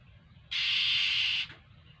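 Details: Oriental magpie-robin coming to beg for food, giving a single harsh, rasping, hissy note lasting about one second against quiet background.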